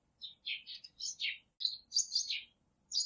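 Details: Baby chicken chick peeping: high, thin, falling cheeps in quick runs of two or three, then a short pause before more.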